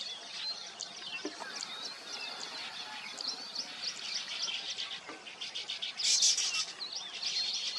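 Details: Nesting weaver birds chatter without pause, with high twittering, short rising sweeps and buzzy notes, and a sharp, loud burst of sizzling calls late on.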